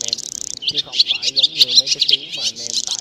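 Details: Black white-bellied swallows in a flock-calling and roosting lure recording: dense, continuous high chatter of quick overlapping chirps and warbles. No other sounds stand out.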